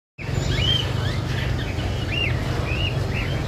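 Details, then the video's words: Parakeet calling: a series of short, clear, arched chirps, each rising then falling, repeated at irregular intervals over a steady low rumble of background noise. "The sound of the tia bird is very nice to hear"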